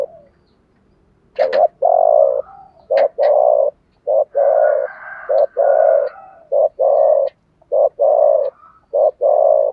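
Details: Spotted doves, male and female, cooing in the "chiêu ba hậu" style, used to stimulate decoy doves in training to sing: a steady series of deep, hollow coo notes in short groups, with a softer higher murmur behind.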